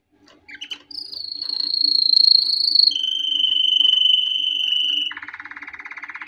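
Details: Canary singing as training for young birds: a brief chirp, a long high rolling trill, a slightly lower steady trill, then a buzzy pulsed rattle.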